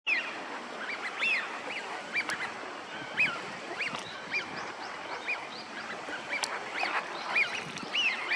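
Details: A flock of wintering Eurasian wigeon on a park pond in Chiba, Japan, in February gives many clear, rising-then-falling whistles, overlapping almost continuously, over a soft murmur of other ducks.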